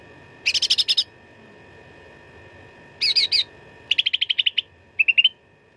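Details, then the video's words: Cucak ranting in full fighting song, a training recording for contest birds: four separate bursts of rapid, buzzy trilled notes. The bursts vary from dense rattles to a shorter, lower chatter at the end. A faint steady hum sits in the background. "CUCAK RANTING GACOR TERBARU 2025 _ SUARA TARUNG FULL ISIAN"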